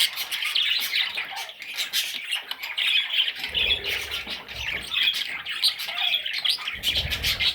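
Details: Parrot chicks keep up a harsh, rasping clamour of rapid squawks, some rising and falling, over a few muffled low thuds.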